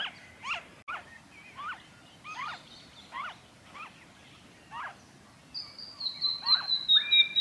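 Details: Noisy friarbird in Victoria, Australia, February 2023: fainter series of harsh, kinked notes spaced about half a second apart, then a clear, high, drawn-out whistle from another bird near the end.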